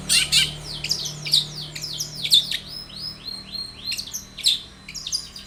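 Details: Long-tailed shrike song meant to provoke a shrike into singing, with harsh buzzy downslurred notes mixed with varied mimicking chirps at an irregular pace, low hum underneath.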